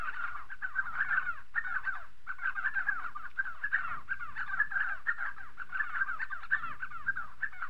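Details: Chorus of Spotted sandgrouse calls from southern Morocco: steady, overlapping, burbling mid-pitched notes in quick clusters, with brief gaps about every half second. No other clear sounds.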